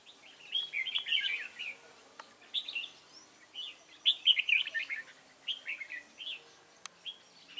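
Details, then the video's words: Red-whiskered bulbul singing at a trap with a lure bird, 29 June 2018: series of short lively warbled phrases, some loud, spaced by brief pauses, with a few sharp clicks. "Bẫy chào mào"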